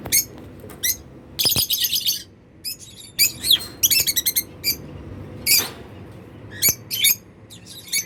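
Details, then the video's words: Happy African lovebirds flying freely, wings unclipped, filling the air with dense shrill chatter, rapid squeaky chirp runs and scattered sharp single notes. "Happy lovebirds making sounds || Lovebird sounds to attract birds"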